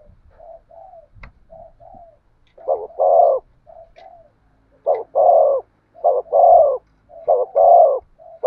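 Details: Spotted dove cooing in the 'thổ sấm' voice style: soft low murmured notes lead into loud grating coos, each a short note followed by a longer one, in repeated groups with faint background noise.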